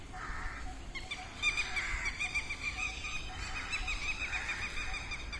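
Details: Peacocks in a field in the early morning, giving loud, nasal, wailing calls that overlap and repeat through the clip, over a rumbling background.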